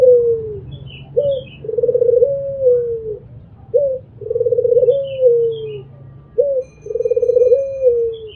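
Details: Regular mbekur cooing from an albino Barbary dove: a short abrupt note, then a long rolling coo that falls at the end, repeated three times at roughly two-and-a-half-second intervals, with faint high chirps of other birds.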